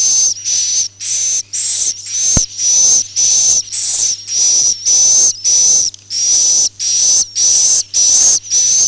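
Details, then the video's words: Akau ngaji style swiftlet calling, a rapid train of about fifteen short, sibilant whistled chirps, evenly spaced, each hissy burst carrying a bright thin tone, with a low steady hum beneath and one sharp click. "suara walet Akau ngaji Original"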